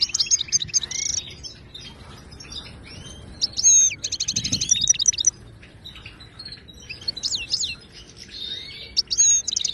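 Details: Wild Moroccan goldfinch song for teaching caged birds: bursts of bright twittering separated by short pauses, including a quick rattling sequence and looping slurred whistles.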